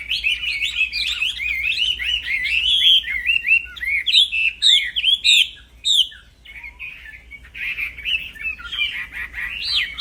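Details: Wambi, the black-throated laughingthrush, singing a relentless fighting song used as a training master: rapid chains of looping whistled notes, dense at first, a short pause near the middle, then renewed bursts.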